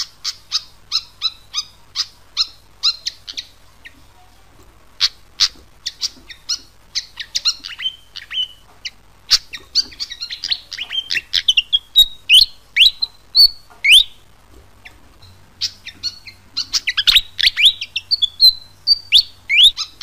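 A fantail gives rapid, high, squeaky chips and twittering notes in quick, uneven bursts.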